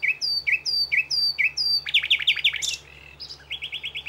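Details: Common nightingale (Luscinia megarhynchos) singing on plateaus between Aragon and Extremadura, Spain: four rich, swooping whistles at half-second intervals, then a fast, loud run of sharp notes and a brief series of clipped chirps.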